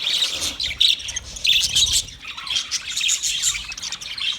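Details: Budgerigars, 29 February 2024: a busy flock's chatter of quick high chirps and buzzy warbled notes overlapping without pause, with louder sharp peaks near the start.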